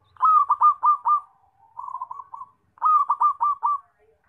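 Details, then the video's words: Zebra dove calling loudly, used as a lure for trapping: bursts of four or five rapid rolling notes, then a softer trilled run, then another burst of quick rolling notes. "PERKUTUT SUARA KENCENG BAGUS BUAT PANCINGAN DAN PIKAT"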